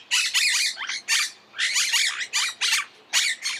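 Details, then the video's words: Loud, rasping squawks of a Monk parakeet, delivered in about seven drawn-out bursts with short pauses, each call harsh and noisy rather than whistled. "Canto de la Cotorra - Sonido de Cotorras - Audio De La Cotorra Argentina"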